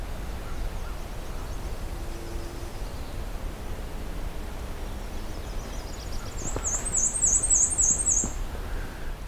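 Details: On a breeding-season return hike to the Pine Tree Harbour trailhead, a loud Black-and-white Warbler sings a short, very high series of thin, squeaky two-part notes like a turning wheel. Low rumble and footstep clicks are also heard.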